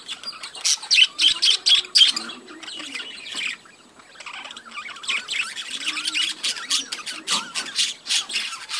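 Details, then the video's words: Budgerigars in a breeding colony, many birds chattering at once: dense high chirps and squawks in rapid bursts, louder clusters early and late, with a brief quieter lull in the middle. "budgies breeding colony"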